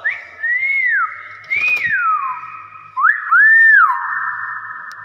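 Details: Common hill myna in lively full voice, giving loud, pure whistles: a rising-and-falling slide, a long level tone, then a downward sweep and an arched whistle that swells and fades, with nothing else heard.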